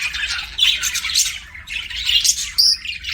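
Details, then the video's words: Budgerigars kept as pets chirping in two scratchy bursts of chatter with a clear whistled squeak near the end. "BUDGIES CHIRPING SOUND"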